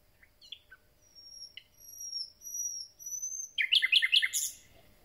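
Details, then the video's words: Common nightingale, newly arrived and starting its concert, sings: scattered high chips, then two long pure whistles that climb slightly, then a loud burst of rapid rich notes. "Słowik rdzawy i jego piękny śpiew"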